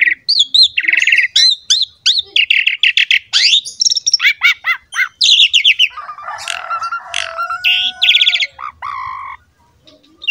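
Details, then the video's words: Asian pied starling in full varied song for teaching young starlings: dense mix of sharp chips, looping whistles and buzzy notes, then a lower harsh warbling passage and fast high trills before fading. "PANCINGAN JALAK SUREN GACOR MOMPA FULL MATERI MEWAH UNTUK JALAK MUDA"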